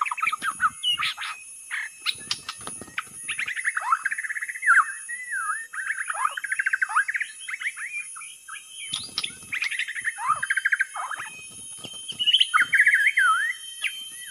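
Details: Lure recording of a white-rumped shama giving a long, varied, continuous song of rapid warbled whistles, slurs and chattering notes, broken by short pauses, with sharp clicks mixed in.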